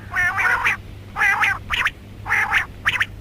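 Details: Female rain quail calling, mixed with karkari: harsh, nasal squawking notes in short bursts around two kilohertz, repeated roughly once per second with brief gaps, over a steady low hum.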